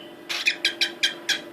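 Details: A female pet cockatiel in a mating mood, asking for a male and doing a courtship dance, gives quick, raspy chirps in a rapid series.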